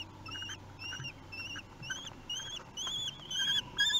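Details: At a Théding kestrel nest on 8 June 2021, three-week-old chicks beg while being fed on webcam: insistent high whistled squeals, about two per second, growing louder and denser toward the end, with faint scratching.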